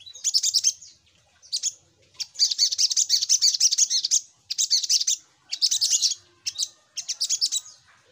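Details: Little spiderhunter, called sogok ontong, in a lure recording. It repeats fast, shrill, chattering bursts of high chirps, each lasting from half a second to one and a half seconds, with short gaps between them.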